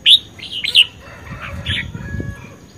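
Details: Red-whiskered bulbul singing in competition form: two sharp bright whistled notes close together, followed by softer fading warbles and low background rumble.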